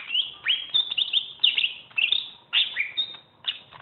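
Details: Greater green leafbird, a champion bird kept as a tutor song for training other birds, singing rapid rich chirps and slurred whistles, bursts dropping in pitch, several phrases in quick succession.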